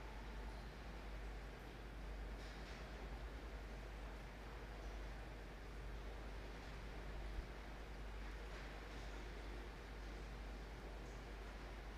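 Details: Steady low rumble of traffic or machinery with faint rustling, and no animal calls.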